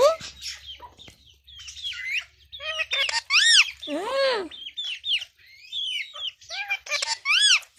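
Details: Pet Indian ringneck parakeet talking, a rapid run of squeaky, whistled word-like phrases with sharp rising and falling arcs, a few louder harsh squawks in the middle, and short pauses between bursts.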